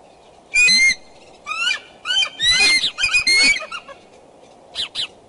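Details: At a Decorah nest on 2 February 2012 at 9:30 am, a pair of bald eagles is seriously courting. They give loud, harmonic, squealing notes that slide up and down, in clustered bursts followed by a few softer notes.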